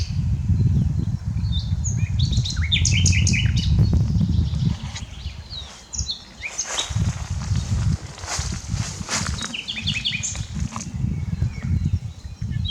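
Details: Common nightingale singing, unedited: bursts of rapid repeated notes and whistled phrases, then a stretch of loud crackling disturbance before more high song fragments. Strong low rumbling noise throughout.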